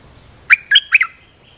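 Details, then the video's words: Olive-winged bulbul call, played to train young birds and lure wild ones: one quick phrase of three bubbly, slurred notes, each dropping and rising in a throaty warble, over a faint steady background hum. "เสียงนกดอกแตงEp.248 เปิดหัดลูกเสอ ลูกใบ้ เสียงเรียกนกป่า Suara pikat merbah lekir gacor"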